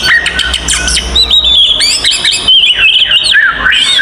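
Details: Oriental magpie-robin fighting song used to provoke other magpie-robins: loud, varied stream of whistled and scratchy notes, sliding phrases and rapid chatters, dense and continuous with harsh bursts between clear whistles.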